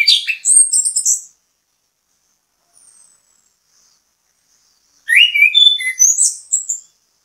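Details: Orange-headed thrush singing as bait for other birds: a loud burst of varied whistles and chatter, a long silence with one faint note, then another rich phrase of rising and falling whistles.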